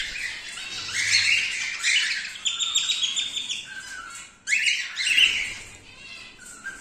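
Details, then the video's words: Male cockatiel of the silver colour, calling in raspy chirps and buzzy squawks. A short lower whistle sounds between the bursts, and a fresh loud screech comes toward the end. "Cockatiel Silver Male"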